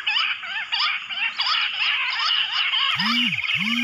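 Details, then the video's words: Bush quail, lured in jungle with a mobile phone, locally called battair or gundri: wavering, bouncing chirps repeated in quick succession, with two low swooping sounds near the end. "amazing Bush Quail video jungali | mobaile se bulaya jungal Battair Lahori Juha gundri"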